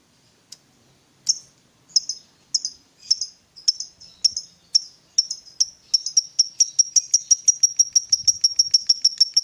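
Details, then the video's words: Ngetik style from a fighter lovebird, used to draw a lazy lovebird into singing: a few scattered sharp ticks that speed up into a quick, evenly ticking high series. "Pancingan Suara Lovebird Gacor Fighter ini Aja BOS, dijamin LANGSUNG NYAUT"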